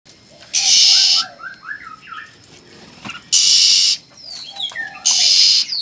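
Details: Newly hatched red-whiskered bulbul chicks: three loud, harsh, hissing bursts, each about half a second long, alternate with soft, short, rising chirps in quick runs.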